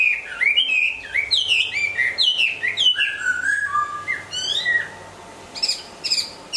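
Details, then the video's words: Moulting Hwamei pouring out a rapid series of clear descending and rising whistles, then a quieter pause, and finally a few brief, sharp high notes. "Hoạ mi hót khi đang thay lông"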